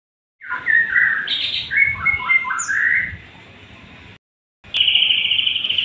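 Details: White-rumped shama singing a varied phrase of whistled and slurred notes around the mid to high range, with a brief pause, then a sustained bright high note band to the end; steady background hiss throughout.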